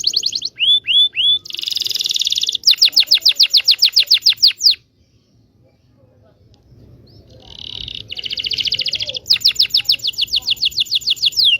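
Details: Indonesian local canary singing as a lesson for young canaries: whistled downslurs and a buzzy roll, then fast repeated sweeping notes, a pause of near silence, and another rolling trill leading into rapid repeated notes.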